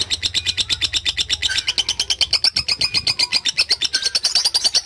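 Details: A lovebird sings the extended ngekek trill meant as a master recording for other birds: fast, rattling high notes repeated without pause, with a bright whistled line rising over the pulses midway.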